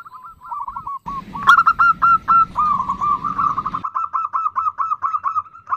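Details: Zebra dove female giving the nutut call to attract a male: a rapid, uneven string of short grating coos, continuing steadily to the end, with low noise in the middle section.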